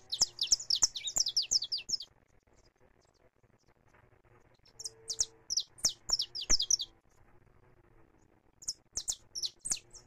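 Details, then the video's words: Saffron finch singing free in a live recording: a fast flurry of high chirped notes, a long pause, a second rapid phrase, then a short final burst. "CANÁRIO DA TERRA CANTANDO LIVRE"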